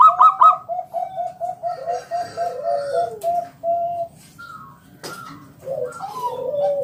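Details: Zebra dove (perkutut) of local wild stock, loud lure call to get other doves singing; a long run of soft, evenly repeated coos, followed by a pause and scattered slurred notes.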